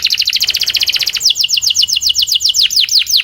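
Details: Canary singing a 'puxada' training song used to improve song: a very fast, steady trill of high notes that slows into a series of evenly spaced, downward-curving whistles.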